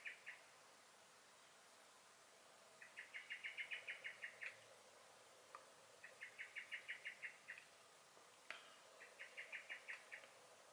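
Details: Garden blackbird (Turdus merula), recorded 23 May 2021, calling in alarm: three bursts of rapid chattering notes, about eight to ten per burst, separated by pauses of roughly two seconds, with faint background hiss.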